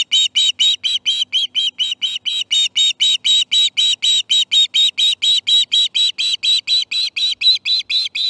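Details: At the nest during morning fish feeding, 18 September 2019, an osprey gives a long unbroken string of piercing chirps, roughly four per second for over eight seconds, evenly spaced and high-pitched.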